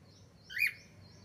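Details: Cockatiel giving a single short chirp, a brief bright rising-then-falling note lasting under a quarter second, against a quiet background with faint low hum.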